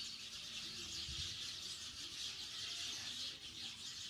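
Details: Many sparrows calling together in a yard, a steady wall of shrill, overlapping cheeps and squeaky chatter with no clear pauses or single voices standing out, plus a low rumble underneath.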